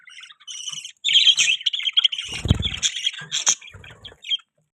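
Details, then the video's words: Budgerigars kept as pets chirping almost nonstop: a dense, buzzy warble of rapid high chirps and squeaks, with a soft rustle or flutter in the middle. "Budgie Chirping Sound"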